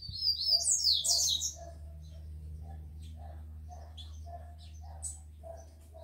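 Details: A captive rufous-collared sparrow, one of the males eager to fight and kept with females, opens with a bright, high whistled song lasting under two seconds. Soft low chirps then repeat steadily over a low hum.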